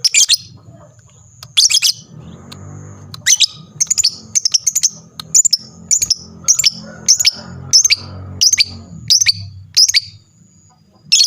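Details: Lovebird sounding off to get other lovebirds answering: loud high screeches at the start, then a steady series of sharp, high chirping bursts roughly every half second, with a soft low rumble in the background.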